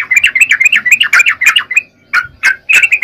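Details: Yellow-vented bulbul in energetic 'gacor' song: fast runs of bubbly, slurred notes, broken by a short pause, then a fresh burst of rapid chattering phrases.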